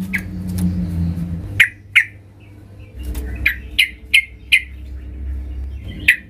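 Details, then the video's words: Loud yellow-vented bulbul looking for a fighting rival: isolated sharp, mid-pitched notes spaced about half a second apart, scattered through steady low background rumble. "Trucukan gacor Mencari Lawan tarung suara keras"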